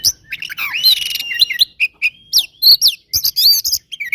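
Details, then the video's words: Fighting song of an oriental magpie-robin, meant to stir rival birds: loud, rapid mix of rising and falling whistles, clipped chirps and brief buzzy notes packed tightly together, with short gaps. "SUARA BURUNG KACER GACOR TARUNG KONSLET"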